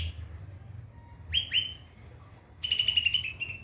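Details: White-rumped shama, recorded as a training song for other birds, gives two sharp rising whistles, a pause, then a rapid run of high chattering notes, with faint low rumble behind.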